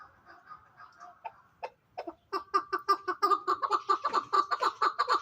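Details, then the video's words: Hybrid fighting chukar partridge, a chick of a fine fighting line, starts with soft low notes, falls quiet briefly, then breaks into a loud rhythmic run of clipped chuck notes, roughly two per second and steadily building. "Кабки Гибрид"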